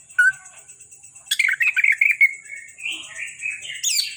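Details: Greater green leafbird, a captive Kalimantan bird, singing a run of slurred whistled and chattering notes around mid pitch, with one sharp high note early and a rising squeaky flourish at the end; a steady high electronic hum runs throughout.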